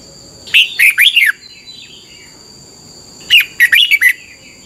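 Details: Caged-style training recording of a red-whiskered bulbul in doubled song: two clear phrases of about five quick, arching chirps each, separated by two seconds of silence, with a faint steady high hum throughout.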